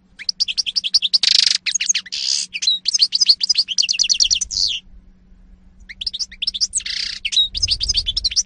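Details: European goldfinch song recorded in 2018: fast, tinkling twittering with buzzy and rattling notes, high and jumbled, broken by a pause near the middle, over a low steady hum.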